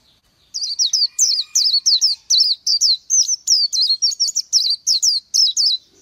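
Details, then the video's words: After a brief silence, an Oriental white-eye launches into a continuous run of high, sweet, wavering whistled notes, about three per second. "Chim hót hay Vành Khuyên họng vàng đông dương | นกแว่นตาขาวสีทอง| Oriental White-eye"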